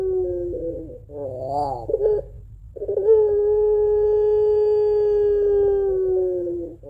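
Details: Barbary dove of the pelung type singing its long crying two-note coo, used to lure doves: a quavering, bubbling opening gives way to a smooth, sustained moan of nearly four seconds, slowly fading in pitch.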